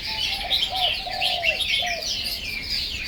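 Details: Chinese hwamei in full song: dense high twittering whistles and slurred phrases, accompanied early on by a few soft, low coos.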